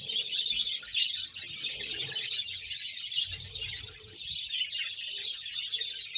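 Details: Budgerigar colony of about 100 pairs in Bahawalpur: dense, continuous high chirping and warbling chatter from many birds at once, with a steady, busy texture throughout.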